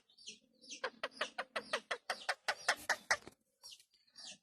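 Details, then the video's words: A pet Indian ringneck parrot that is starting to talk chatters in a quick run of about a dozen clipped, raspy, speech-like syllables, roughly five a second, ending in softer squeaks. "Talking Parrot"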